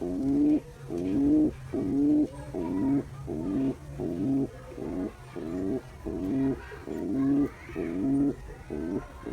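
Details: Male pigeon cooing to a female while courting her: deep, throaty, rolling coos repeated in steady bursts a bit more often than once a second, each swelling then breaking off, with faint room hum.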